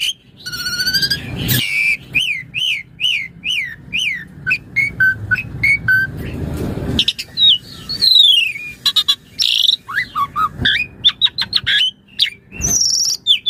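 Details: Asian pied starling master song for training birds; series of repeated rising-falling whistled notes, then rapid chattering and varied high calls, with low rumbling background noise.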